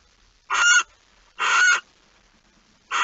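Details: Barn owl at a nest at 05:14 on 26 August 2019, as the second mouse of the night is brought in; two harsh, rasping hissed screeches about a second apart, with a third starting at the end. Background quiet.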